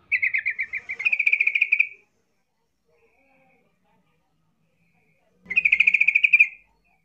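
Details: Yellow-vented bulbul provoking rivals to respond: a quick stuttering trill running straight into a brighter pulsed chatter, then silence and a second matching burst about five seconds later.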